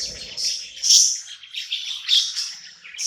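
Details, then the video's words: A budgerigar chirps happily at night in a new home, soft raspy high chatter rising to brighter peaks twice, with a faint low murmur at the start. "Cute budgie night happy in new home singing and chirping sounds"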